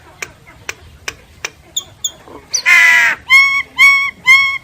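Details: Common myna singing: a few dry clicks, then a long harsh raspy note, followed by three loud, even, whistled notes with a nasal edge, repeated at half-second intervals.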